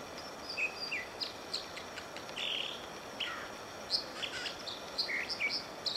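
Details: American dipper (Cinclus mexicanus) singing and dipping on Whisper Creek near Diamond Lake, Oregon: a varied run of high, sharp whistles, trills and short buzzy notes in quick bursts over rushing water.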